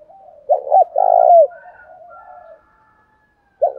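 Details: Spotted dove used as a lure in the thổ đồng cooing style: one strong double coo, a short note then a long burry note, trailing into soft cooing and faint whistles, with a new coo starting at the end.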